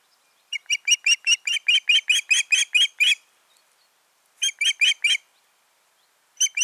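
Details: Ospreys, a pair at their nest in mid-June 2019, calling in a long rapid run of about a dozen piercing whistled chirps, then a shorter burst of four and another beginning.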